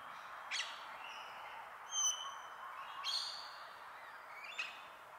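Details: A male Australian king parrot in forest in southeast Queensland on a winter day gives high, piping whistles with harsher squawky notes between them, calling out to a female near a possible nesting tree hollow, over a steady background hiss.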